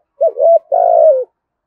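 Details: Spotted dove, 'thổ gù thúc' style for luring wild doves: one low phrase of two short rising coos running into a longer, slightly buzzy falling note, nothing else heard.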